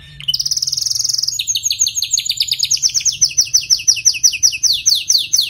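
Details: A canary sings a rolling song, used to encourage poorly singing canaries: a rapid high buzzing tour, then a long series of quick descending notes repeated several times a second, steady and energetic.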